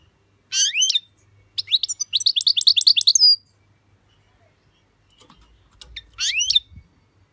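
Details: European goldfinch song described as "switty": bright, high twittering bursts with rapid rising and falling notes, a long tinkling phrase near the start, a pause, then faint ticks and a final short burst.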